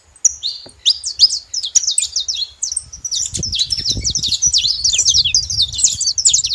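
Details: Bright saffron finch song opening with a steady whistle, then dense runs of high sweeping chirps, accompanied by a low background murmur.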